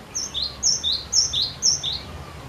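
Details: Vigorous cinereous tit song used to prompt other birds to sing, four loud repeated couplets of a high ringing note and a lower falling note, steady rhythm over quiet background.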